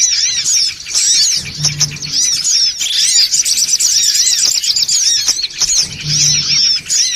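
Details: Noisy lure call of songon otong birds: a crowded wall of sharp, squeaky chirps and arched whistles from many birds at once, continuous throughout, with a short low droning hum appearing twice.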